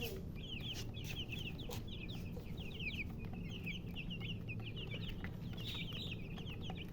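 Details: Chicks chirping nonstop: rapid, high, down-slurred peeps from several birds overlapping, set against a loud, steady low background drone.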